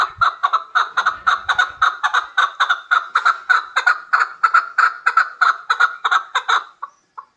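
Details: Loud, steady chuck-chuck calling from a hybrid chukar partridge: evenly spaced harsh notes, about three per second, keep a regular rhythm for several seconds. The series then ends with two softer notes and silence.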